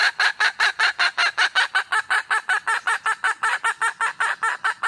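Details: Loud, rapid cackling from a wild junglefowl hen looking for a male, nearly thirty harsh, evenly pulsed notes at about six per second, sustained without pause.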